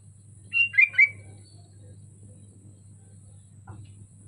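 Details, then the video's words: Melodious song of a caged sooty-headed bulbul on a hanging pole: one rich, warbling three-note phrase, followed by a brief faint click and a steady low hum. "Suara burung kutilang merdu di gantangan"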